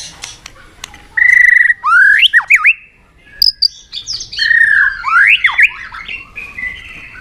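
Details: White-rumped shama pushed into fighting song while flicking its tail: a steady whistled note, then loud swooping and dipping slurs, a pause, and another series of varied slurred whistles and chatter.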